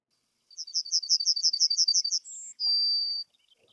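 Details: Yellowhammer song, likely a prominently perched male in breeding plumage: a quick even rattle of about a dozen thin high notes, a brief higher note, then a long drawn-out final note, the "little bit of bread and no cheese" phrase; not very loud.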